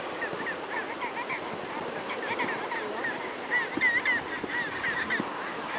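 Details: A large colony of nesting gentoo penguins on their rock-pile nests on an Antarctic island calls over one another in a dense, continuous din of harsh, braying honks, with several louder nasal calls near the end.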